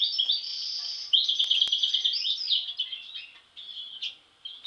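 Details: European goldfinch from a group of siblings, two with an abnormal mask since birth; sustained high twitter and rapid chirping trills, growing sparser and softer, with short bright notes near the close.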